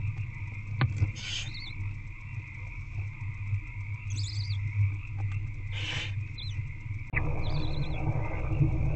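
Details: Barn owl chicks begging during a night feeding by their mother in a nest box, 8 February 2024, around 9:20 pm; two broad breathy hisses with thin high wavering chirps and clicks, under a steady droning hum.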